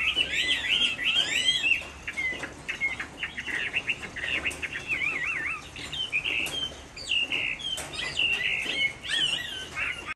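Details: In Hai Phong, Vietnam, on a rainy afternoon, a caged Chinese hwamei gives a long bout of song: wavering trilled whistles, rapid zigzag notes and bright pure tones.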